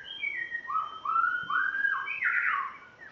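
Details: Spotted morning-thrush from Tanzania singing on its first day at its new home, with a white-rumped shama also singing: rich flowing whistled phrases, gliding up and down and joined together, ending in a fuller burst.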